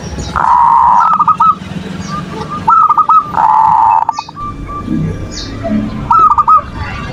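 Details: Manggung song of a zebra dove, played to lure silent doves into calling and breeding condition: two long, dense rolled coos each followed by a few crisp arched notes, faint chirps from other birds and low murmuring beneath.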